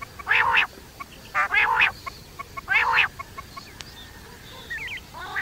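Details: Nocturnal quail calls: three hoarse, rasping bursts of about half a second each, spaced a second apart, then quiet with faint twittering.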